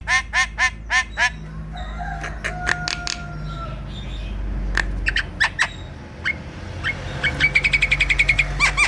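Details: Black-winged myna in full "gacor" song, used as a lure to get sluggish kept birds singing: a fast run of harsh, harmonic squawked notes, then sharp clicks and a strained whistle, closing in a rapid chattering rattle over a low steady hum.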